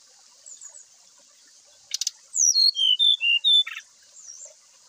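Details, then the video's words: Brown-chested jungle flycatcher singing loosely in the morning to provoke others of its kind to sing. A short buzzy burst leads into about six clear whistled notes, each sliding downward, then a second buzz. A steady high hiss runs behind. "Srdc ngeplong memancing srdc lain terapi srdc agar cepat bunyi di pagi hari"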